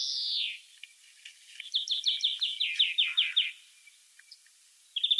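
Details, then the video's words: Free-living European greenfinch giving a falling nasal wheeze followed by a steady series of rapid, slightly descending trilled notes, then a brief twitter after a pause. "chant et cri du verdier / song & call of greenfinch"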